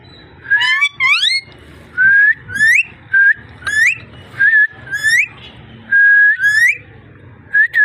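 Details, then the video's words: Ringneck parrot whistling and talking: a lively series of rising whistles and short up-swept notes roughly every half second, some harsh, some clear and level. "Amazing ringneck parrot talking and voice"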